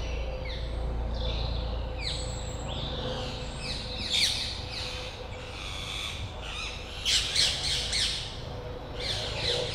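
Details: A young European green woodpecker, hatched in 2020, gives harsh, squawky calls that drop in pitch, repeated irregularly and bunched into rapid runs, over a low steady hum.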